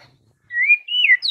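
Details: White-rumped shama morning song intended to get rivals answering: long, smooth whistled notes gliding slowly up and down, ending in a quick falling whistle.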